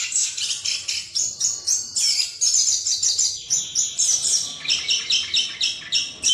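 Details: Rolling 'ngerol' song of a chestnut-capped thrush, played as a lure so a rival bird sings openly: dense streams of high, quick chirps and warbled notes pulsing about three to four times per second, almost without pause.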